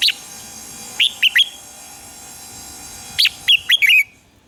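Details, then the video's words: Morning song of a red-whiskered bulbul, a lure recording for training birds: two clusters of sharp whistled chirps, three notes then a pause of nearly two seconds, then a faster run of five, over faint background hiss. "luyện giọng chào mào hót sáng - Hót hay nhanh lửa"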